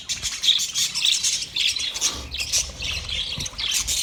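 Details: Budgie calls from 29 February 2024: short whistled chirps and harsher squawks tumble over each other in an excited, unbroken high-pitched chatter.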